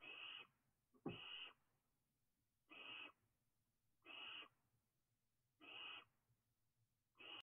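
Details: Barn owl owlet from a third brood, rat tail hanging from its mouth after a meal: harsh, steady hissing screeches about half a second long, repeated roughly every one and a half seconds, with one sharp knock near the start.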